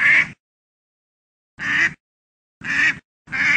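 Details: Duck quacking: loud, nasal, rasping quacks, each under half a second, given singly with silent gaps between them, four calls in under four seconds.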